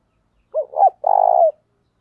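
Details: Spotted dove giving a 'giọng thổ' style calling coo, played to train newly caught birds: a short rising-falling note, a hooked second note, then a long buzzy held coo that drops at the end.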